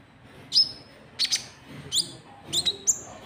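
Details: Luring call of a white-cheeked bulbul for attracting rivals: four or five separate bursts of bright chirps and short upslurred whistles, spaced roughly half a second apart.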